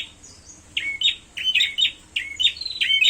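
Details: Prinia calling while fighting: sharp, chirpy notes with quick rising sweeps, given in short bursts about every half second, clear over a quiet background.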